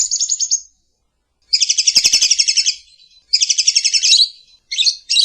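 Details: Lovebird in the morning singing a lure and master song: brief high trill, then two long buzzy chattering phrases separated by a gap, ending in short sharp chirps.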